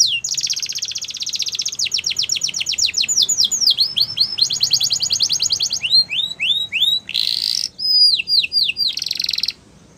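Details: Loud canary song with a long rapid rolling trill, sweeping downslurred notes, a harsh buzzy burst and more trills before it stops abruptly.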